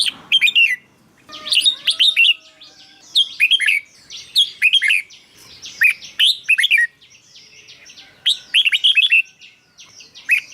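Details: Caged red-whiskered bulbul song for firing up other birds: lively clusters of sweet, downslurred whistles and chirps in short phrases, repeated with brief pauses, over a faint background of other bird calls.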